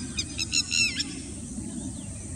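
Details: A Richard's pipit perched on a wire in India gives a quick run of four harsh, rasping notes over about a second, followed by a faint thin note, over a steady low rumble.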